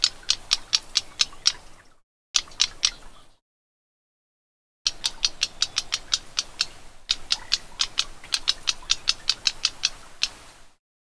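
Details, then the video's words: Black-browed reed warbler giving dry, sharp ticking notes, about five per second, in steady runs broken by brief silent gaps. "เสียงต่อ นกพงคิ้วดำ (Black-browed Reed Warbler) Voice Call"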